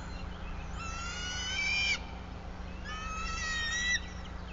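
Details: Wild bald eagle calling at its nest high in a sycamore in Bluff City, Tennessee, on a March morning: two rattling bursts of high, squealing chatter about two seconds apart over a constant low hum.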